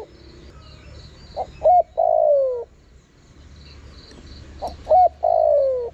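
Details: Spotted dove call used to attract wild birds, two full phrases: a quick pair of short notes, a long falling coo and a clipped final coo, separated by a quiet gap with a thin high buzz behind.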